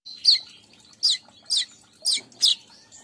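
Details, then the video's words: Weaver lure sound: five loud, sharp, descending high chirps at about half-second intervals, with faint twittering in between. "Pancing burung Manyar"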